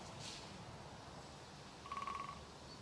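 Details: A great spotted woodpecker gives a quick burst of about eight sharp, mid-pitched notes in under half a second, possibly bill-drumming on dead wood, over steady background hiss and an earlier brief rustle.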